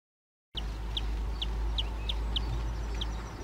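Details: Eurasian nuthatch, Sitta europaea: seven short, sharp, high notes repeated at an uneven pace against a loud background rumble.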